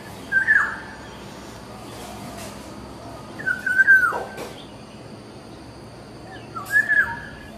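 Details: Black-naped oriole song of three fluty, mellow whistled phrases spaced a few seconds apart, the middle one ending in a falling slur, with a steady faint background hum.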